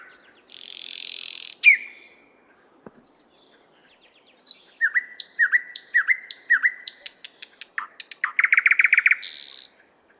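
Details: Nightingale song from the 50th Anniversary of October park in Moscow, shotgun microphone recording: a harsh rasping burst, a pause, then repeated downslurred whistles, staccato clicks and a fast buzzing trill ending in a rasp.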